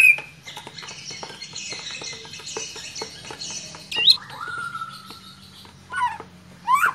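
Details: White-rumped shama singing, provoked by a lure recording: a dense, varied run of high chirps and twitters, followed by a long level whistle, a sharp rising note and short bursts of rapid trills.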